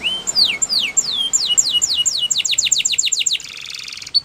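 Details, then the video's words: Spanish Timbrado canary singing a training phrase: loud descending whistled swoops that quicken into a tight run of sweeps, ending in a buzzy rattle and one sharp note. "Canary Singing Training Video"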